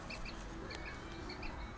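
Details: Newly hatched ducklings peeping while a third egg hatches: faint, short high chirps repeated every few tenths of a second over a steady low hum.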